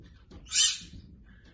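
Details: Pet bird copying a person's sneeze: a single short, hissing, sneeze-like burst lasting about a third of a second, set against a quiet indoor background.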